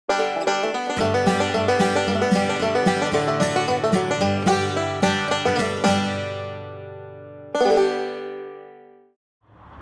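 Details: Plucked banjo and guitar music in a bright, quick rhythm that cuts off and fades near the end, with no animal calls.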